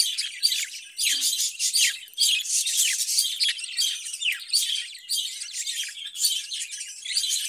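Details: Budgerigars in a cage produce continuous high warbling chatter, with rapid chirps and downslurred squeaky notes packed closely together and no quiet gaps.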